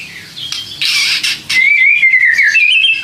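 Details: White-rumped shama song used to provoke other shamas: a burst of harsh, scratchy notes, then a long, thin whistle that wavers and slowly rises toward the end.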